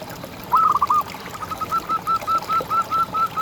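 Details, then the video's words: Zebra dove, a local contest bird used in tutor recordings, opens with a quick rolling trill and then repeats short clear coos about every quarter second. "Perkutut Juara Gacor Ngalas"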